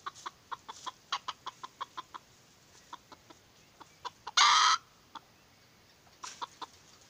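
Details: A red junglefowl (Gallus gallus), a moulting decoy hen used for trapping wild junglefowl, gives a steady run of short, clipped clucks, several per second, broken once by a brief harsh burst.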